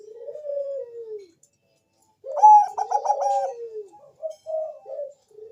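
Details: Lure song of a Bangkok zebra dove for drawing replies from other doves: a falling drawn-out coo, a pause, then a loud burst of rapid pulsed notes sliding down, ending in short separate coos.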